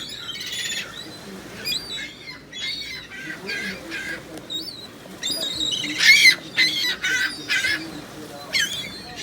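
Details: Gulls calling from all around: separate harsh squawks and yelping cries in irregular bursts, louder toward the end, over a quiet low rumble.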